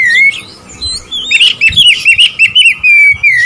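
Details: Oriental magpie-robin song used to provoke rival birds: a loud, sweet whistled phrase, then a fast run of wavering, slurred whistles with a few sharp clicks, ending on a long sliding whistle.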